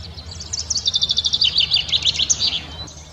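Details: Common chaffinch spring song: bright, rapid, high trilled notes tumbling slightly downward over about two seconds, then a short flourish. There is a faint background hum.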